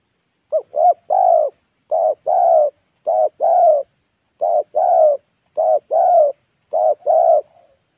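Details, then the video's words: Local spotted dove with a loud, thick, pesom-like voice singing beside a road while being lured. Rapid run of phrases, each two brief coos and a longer falling coo, six phrases about every 1.2 seconds. "TEKUKUR LOKAL RASA PESOM"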